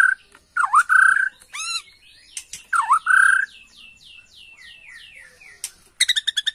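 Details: Bornean white-rumped shama answering a lure recording with clear V-shaped whistled slurs, a series of descending thin notes, then a burst of rapid harsh chattering.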